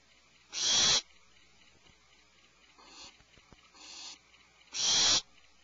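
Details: Barn owl at 04:20 before dawn, Pacific time: two loud rasping screeches half a second long frame two fainter, lower hissing bursts, with faint ticking in between.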